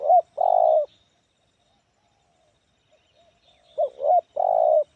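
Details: Spotted dove, a bird with an unusually shaped head and a loud medium-pitched voice, gives a low cooing phrase: a short two-note hoo-hoo then a long sustained coo, repeated after a pause.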